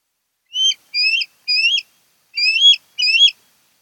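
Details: At a nest on Kent Island, Maryland, in August 2018, an osprey gives five rising whistled chirps, three in quick succession, a short pause, then two more, each with a sharp upward flick.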